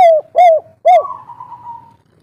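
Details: Local spotted dove, kuk 3 type with a soft tone, used to lure birds into answering. Two short arched coos and a third coo lead straight into a long, level, trailing note that slowly fades.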